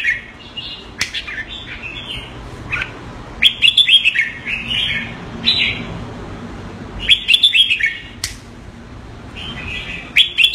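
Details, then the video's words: Red-whiskered Bulbul, a pet bird in Singapore, calling keke on command: clusters of quick sharp chirps and warbled notes come in irregular bursts separated by pauses, over faint background hiss. "Jambul - สิงคโปร์เลี้ยง นกหัวจุก Mickey (keke on command) (Singapore)"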